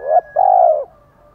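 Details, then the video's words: Spotted dove, male and female, calling to provoke a male to coo: a short note then a long, smooth, slightly falling coo, ending in a faint trailing hum. "Chim cu gáy thúc gù chất giọng gấy ức chế cho bổi rất cao, mở lên bổi gáy liền và dai dẳng"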